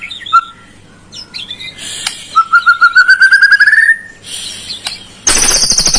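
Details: White-rumped shama song used as a lure to provoke a lazy caged bird into singing: scattered short whistles, then a long rising trill of evenly repeated notes, ending in a harsh, noisy rattling burst.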